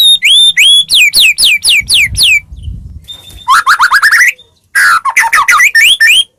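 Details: Singing white-rumped shama, played to get other shamas to respond: quick looping notes and falling sweeps, a pause over a low rumble, then rapid bursts of rising chattering notes.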